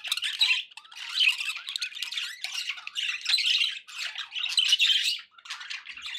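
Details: Domestic budgies calling, grating squawks and warbled chatter come in uneven bursts with short quiet breaks between them.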